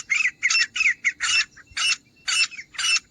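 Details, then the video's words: Grey francolin hunting sound: a series of coarse, squawking notes, fast at first and then spaced out to about one every half second, with faint low background rumble. "तीतर की आवाज़ - Teetar Ki Awaaz || Grey Francolin Hunting Sound"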